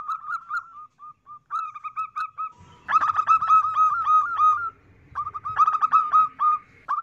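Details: Female zebra dove lure call for males: soft repeated coos with brief gaps, then loud, dense runs of quick stuttering notes over low background rumble, pausing once before a final burst.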